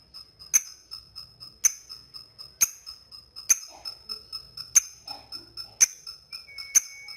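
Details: Lovebird ticking at a rival to set off long trilling; sharp, clicking high ticks about once a second, with softer ticks in between and faint rustling, in a quiet room.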